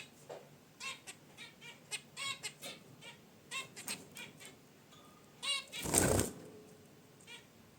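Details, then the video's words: Pet zebra finches in a cage beside a wicker basket nest utter rapid nasal honks and chirps in an irregular run, broken near the end by a loud burst of rustling. "Zebra Finches in Their Cage: Natural Chirps & Sounds"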